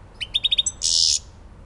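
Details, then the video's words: Elbasan goldfinch, Albania, delivering five quick, evenly spaced tinkling notes followed by a sustained harsh, buzzy wheeze. "civit elbasani"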